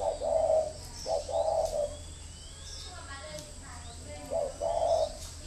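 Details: Spotted dove used as a decoy, uttering a few husky coos with a pause between them, while faint human voices and chirps sound in the background.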